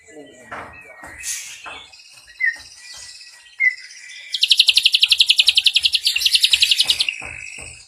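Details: Ashy drongo, a prized tutor bird singing in the nembak cililin style with long bursts: scattered short whistled notes and clicks, then a fast, dense, buzzy rattling trill lasting about two and a half seconds before fading.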